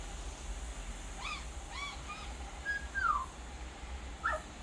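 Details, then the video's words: Male Australian magpie on a balcony, warbling and mimicking other sounds: three rich, harmonic rising notes, then a long clear whistle sliding downward and a final sharp descending note, over low rumbling background noise. "Australian Magpie song and mimicry"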